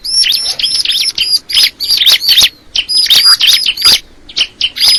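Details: Crystal ciblek, a prinia, pouring out loud, bright, high chirps, each note a quick rising-then-falling whistle. They run together in rapid phrases of roughly half a second, separated by short gaps.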